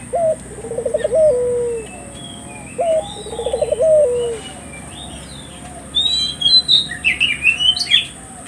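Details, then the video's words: {'caption': 'Collared dove used to lure and stimulate local doves into calling: two low rolling coos, each a short note then a pulsed trill ending in a drawn-out tone, with higher chirps of other birds afterward.'} "suara burung puter gacor,merangsang buru puter lokal ikut gacor"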